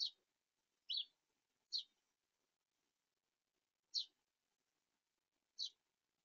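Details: A house sparrow perched near a backyard smart feeder gives five bright, single chirps at irregular gaps of one to two seconds, with near silence between them.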